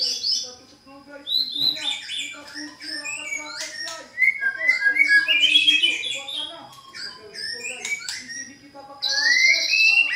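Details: White-rumped shama in full song, used to provoke a caged shama into answering: a varied run of clear whistles, slurred rising and falling notes and rapid chattering phrases, with loud bursts near the start and end over a steady low hum.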